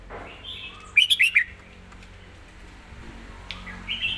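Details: A Red-whiskered bulbul delivers a master-style song with clear phrasing. Four loud, liquid warbled notes come in quick succession, followed by a quiet pause and a softer rising whistle at the end.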